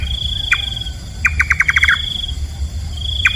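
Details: Nightjar, the nocturnal bird known locally in Thailand as nok kaba, gives a single sharp knocking note, then a quick run of about eight clipped notes, then another lone note. A steady high insect whine and low rumble run underneath.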